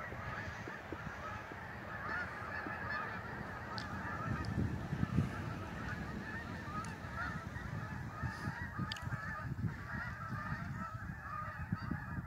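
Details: Migrating geese over Lake Champlain in northern New York: many overlapping honks blur into a continuous chorus above a heavy low rumble, with a few sharper calls standing out.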